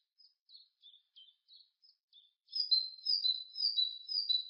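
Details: Great tit (Parus major): several short, separate high chirps spaced apart, then a fast run of four ringing two-note phrases, high then lower, repeated evenly about twice a second with no background sound.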